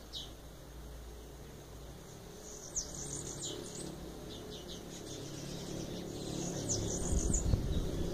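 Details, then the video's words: Bananaquit singing: thin, high, hissing phrases of quick downslurred notes, repeated in short bursts over a steady low rumble of background noise. "canto da cambacica"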